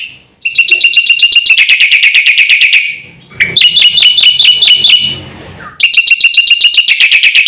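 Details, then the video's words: Black-winged myna lure song, fast and full, for mynas gone quiet: three bursts of rapid, ringing, metallic chatter, each a couple of seconds long, separated by short pauses. "suara masteran jalak putih gacor full isian cepat untuk pancingan burung jalak macet bunyi"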